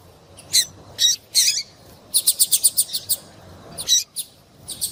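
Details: Female papa-capim (Double-collared seedeater) calls used to prompt a male's song: three spaced high chirps, then a rapid string of about eight bright notes, followed by scattered single chirps.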